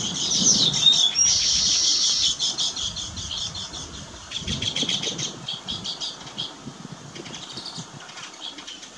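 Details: Weaver bird at work building its nest, giving bursts of fast, high-pitched chattering ticks in rhythmic runs, mixed with soft wing flutters and faint low background rumble.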